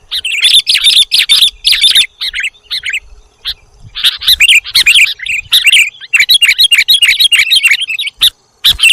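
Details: Sooty-headed bulbul (kutilang jawa) calls from bird-luring audio: dense bursts of bright, chattering chirps and short warbled phrases packed together, with brief pauses near two and eight seconds.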